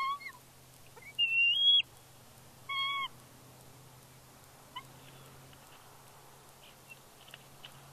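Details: At Big Bear on 31 May 2022, a newly fledged female bald eagle squees excitedly while the adult male flies in with fish: a few high, bent whistled squeals with a ringing quality, then quieter faint notes.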